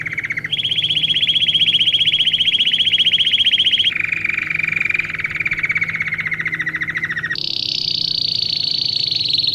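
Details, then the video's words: Domestic canary singing, used for training young birds: long, rapid rolling trills held for several seconds each, stepping abruptly between pitches, from a mid trill up to a higher one, down again, then up to the highest. "Canário Do Rei Canto Lindo Para Filhotes Em Treinamento"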